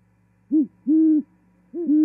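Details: Montana, January 2021: great horned owl at a Charlo osprey nest during female arrival and mating, giving deep hoots, a brief note then a long one, with another two-part hoot starting at the end.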